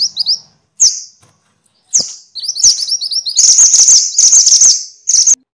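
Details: Minivet (mantenan, sepah), a songbird whose calls are used as training audio for other songbirds: high, thin chirps and short descending notes, then busy rapid twittering trills in bursts, with brief gaps of silence.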